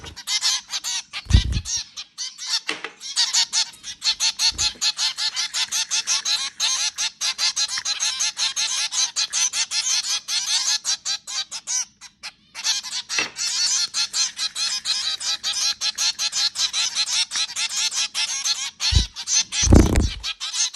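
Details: Several zebra finches feeding at home chatter constantly with rapid, nasal, toy-trumpet beeps that overlap.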